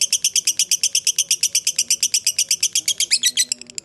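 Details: Lovebird of the fighter type giving a long ngekek, used as a lure to get other lovebirds to answer: about 26 rapid, harsh, buzzy chattering notes evenly spaced, turning faster and more ragged near the end.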